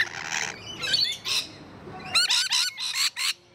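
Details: Rainbow lorikeets, parrots in a wildlife park, mixing hoarse, noisy squawks with sharper, clipped shrieks delivered in a rapid burst of four or five notes near the end.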